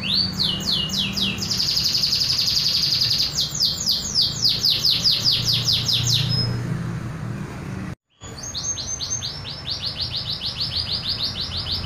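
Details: Local canary singing its original, pure natural song without imitated fill-ins: fast rolling trills of rising, repeated high notes, a sustained buzzy tour, then more quick rising trills after a short break; faint low hum underneath.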